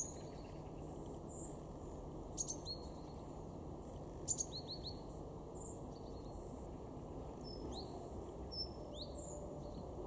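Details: Great tit in a garden in Weener, East Frisia, far northwestern Germany, November 2022: short, high, thin call notes, some sharp and clicking, others quick down-slurred chips, scattered irregularly over a steady low rumble.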